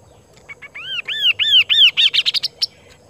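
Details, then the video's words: A kaso-kaso bird sings actively: a quick run of four or five arched, sweet whistles, then a burst of sharper, higher chattering notes, all within about two seconds. "BURUNG KASO KASO GACOR"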